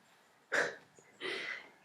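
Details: Sulphur-crested cockatoo near a house, very loud and possibly flying over, gives two harsh, raucous screeches, a short one then a longer drawn-out one; it sounds somewhat distant against a quiet background.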